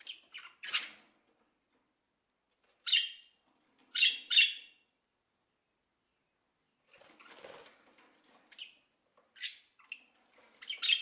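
A parrot gives harsh, raspy squawks in short bursts, a few close together, then rougher chattering and scratchy calls toward the end.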